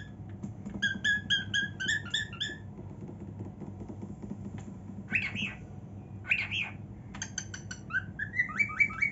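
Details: Indoor pet female cockatiel singing happily in her room, mixing quick strings of clear whistled chirps with a few harsher buzzy notes, ending in a rising run of whistles.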